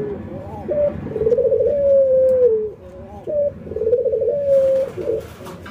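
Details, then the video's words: Routine training of an albino white ringneck dove and a local ringneck dove that nod and laugh; low, rolling coos in two phrases, each a brief lead note then a long, even, gradually falling coo, with faint indoor background noise. "puter putih albino versus puter lokal ngangguk dan tertawa"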